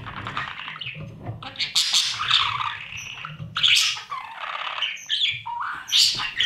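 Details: Budgerigar chicks fed by parents in the nest box: rising bouts of harsh, grating chatter and squawks, several loud bursts with short quieter gaps, over soft movement noise.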